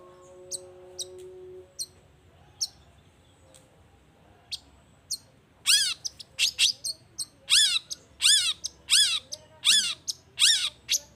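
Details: Long-tailed shrike song meant to provoke rival shrikes into replying. Sparse thin ticks give way to a fast, loud series of downward-swept, buzzy notes repeated roughly twice a second.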